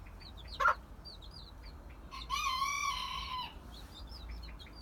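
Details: A mother hen with young chicks gives one sharp cluck, then a drawn-out, harmonic, slightly falling call lasting about a second, while the chicks keep up a steady stream of high, thin peeps.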